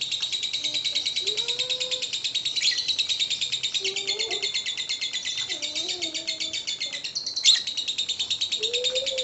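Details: Lovebird chattering in the ngekek style, used to draw lovebirds into song: a long, fast, rattling stream of high scratchy pulses with one sharp louder squeak, over faint low whistles in the background.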